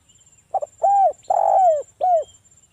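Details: Tekukur, the spotted dove, in a ngalas-style lure song meant to make other doves answer: a brief double note, then a smooth bowed coo, a long grainy coo sliding down, and a clipped closing coo; faint thin whine overhead.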